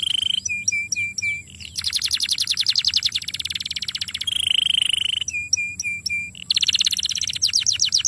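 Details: Young canary singing, used as a lure recording to prompt long rolls: repeated sweeping whistled notes alternate with long, fast, buzzy rolled trills and a steady trilled tone, loud and continuous throughout.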